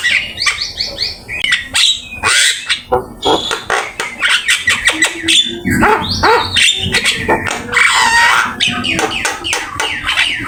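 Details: Vigorous, varied Javan myna song kept as a training master: loud grating squawks, clicks and rasping phrases mixed with a few short whistles, delivered in quick irregular bursts.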